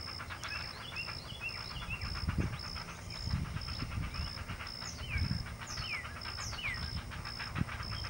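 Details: Two Great blue heron chicks at the nest beg noisily while their mother feeds them: rapid repetitive quacking clicks, several per second, with deeper scuffling bursts, over a steady regular electronic beeping and upslurred whistles from another bird.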